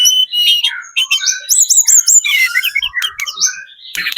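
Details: Spotted-plumaged Sunda robin singing very actively as a lure meant to make other birds answer: a dense, varied run of high whistles, chirps and rapid descending slurred notes, with brief buzzy bursts and a harsh rasp near the end.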